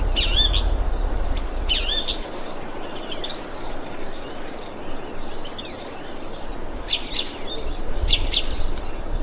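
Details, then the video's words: Thrush calling, recorded 25 February 2021: varied high whistled phrases with sweeping slurs and sharp notes in several bursts, over low rumbling background noise at the start and end. "Thrush bird calling"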